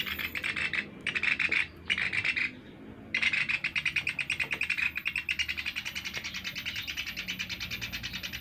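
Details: Used as a lure, a Sunda pygmy woodpecker gives several short, dense rattles, then a long, steady, fast trill of high dry notes.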